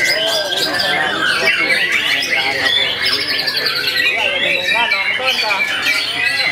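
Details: Young captive white-rumped shama performing tirelessly, pouring out a varied stream of sharp whistles, rattles and quick upslurred notes, with lower harmonic voice-like sounds running beneath throughout.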